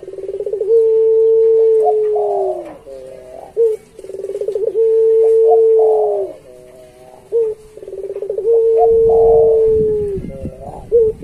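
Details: Barbary dove of the puter pelung type, a kept songbird recorded as a master song for training other doves. Three coo phrases come about every four seconds. Each opens with a stuttering burst, swells into a long, steady, low humming note, then drops and ends with a short upturned coo.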